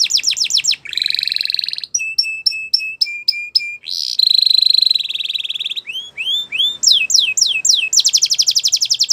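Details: Gloster canary singing a varied song: downslurred sweeps, buzzy rolls, evenly spaced clipped whistles, a rattling trill, rising upslurred notes and a fast final trill, all high-pitched and delivered without pause.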